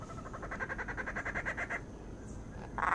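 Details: A male Blue-bellied Roller feeding his chicks gives a quick run of harsh, even pulses, about eight a second for under two seconds, then a short rasping burst.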